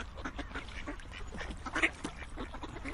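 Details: Several ducks quack at once, giving a continuous jumble of short, raspy, nasal notes with no pauses, over a low background hum.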